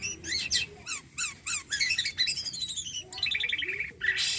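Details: Song of a caged Javan pied starling in full voice, a varied medley of sharp chirps, downward-sweeping whistles and buzzy rattles delivered in quick bursts.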